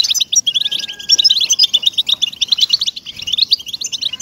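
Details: Track used to motivate caged European goldfinches: fast liquid twitter of bright, clipped notes and brief trills in quick succession, a thin steady whistle sounding faintly early on, otherwise clean background.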